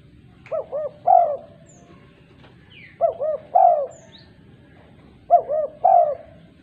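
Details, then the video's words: Female spotted dove calling other doves: three phrases about every 2.4 seconds, each two quick looping coos followed by a longer, louder falling coo; faint high chirps from other birds in between. "Tekukur betina gacor memanggil tekukur lain"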